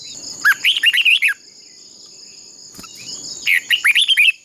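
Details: Red-whiskered bulbul decoy bird in a singing contest used to provoke and train bulbuls: two energetic phrases of six or seven bright, rising-and-falling whistles, three seconds apart, with a faint click between and a constant high hum behind.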